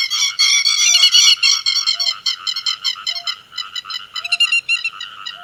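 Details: Grey-headed lapwings calling to gather the flock. A loud, crowded burst of harsh, ringing notes opens the recording, then thins into separate rapid calls at about four per second, with a faint low note recurring roughly every second.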